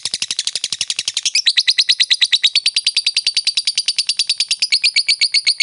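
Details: Fighter lovebird giving its long ngekek chatter, used as a lure to provoke a rival into chattering: a fast, steady run of sharp high chip notes, about three per second, continuing without a break, in a quiet room.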